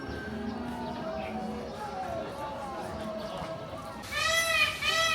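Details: At Longhua Temple, Shanghai, on 24 May 2025 in the evening near sunset, a peacock, apparently with its tail fanned, gives a loud, brassy, nasal call after a stretch of a man talking.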